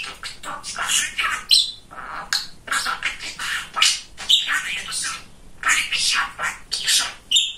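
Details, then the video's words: Talkative pet male budgerigar in a small room. It gives a steady stream of raspy, speech-like babble with short gaps and occasional thin whistled pips between phrases. "Разговорчивый Волнистый Попугайчик"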